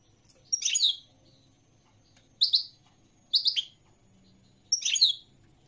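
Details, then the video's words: European goldfinch uttering four brief, sharp twittering notes, each a quick high chirp cluster, separated by pauses of about one to two seconds. "تغريد الحسون الملكي 🐦 chant de chardonneret goldfinch song"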